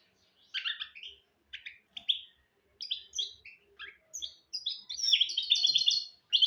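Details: Goldfinch and canary hybrid (mule) singing, kept to teach goldfinches and canaries to sing; short bright twittering phrases with trills and chirps, separated by brief pauses, building into a longer rapid warble at the end.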